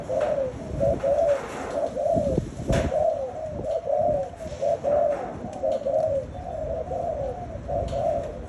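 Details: Spotted dove kept as a pet: soft, low coos repeated roughly once a second in short two- and three-note groups. They sit over a constant hiss and rumble of background noise, with occasional knocks.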